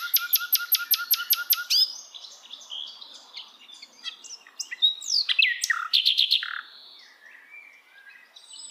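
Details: Hill blue flycatcher singing in the wild: a fast series of high ringing notes repeated about four times a second, then a varied run of sharp chirps, slurred whistles and short buzzy trills.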